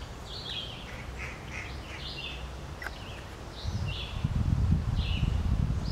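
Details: Green-winged teal ducks at Spooner Island, Hampton, New Brunswick: short, high whistled notes from several birds overlap through the recording. A low rumble of wind grows stronger in the second half.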